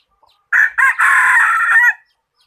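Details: Bird-catching decoy rooster crowing close up: a sharp two-part start, then one long, rough, level note lasting about a second and ending in a short drop, with no other sounds.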